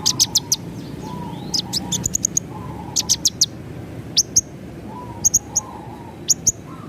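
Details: Javan bush lark in a tutor recording for caged birds, lively ngerol nembak style: short, very high sharp chirps in quick clusters of two to four, repeated through the clip over a steady low hum.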